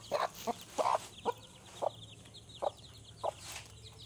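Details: Hen with chicks giving short, soft clucks, about seven over four seconds at uneven spacing, with faint high chick cheeps in the background and a low steady hum.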